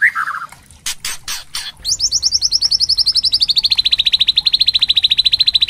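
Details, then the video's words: White-rumped shama (murai batu) lure song used to trigger loud singing in other shamas. A short whistled slur and a few harsh rasping bursts lead into a long, fast, even trill of high notes, about three or four per second. "Pancingan murai trotol agar ngeplong dan murai batu pastol agar BUNYI GACOR"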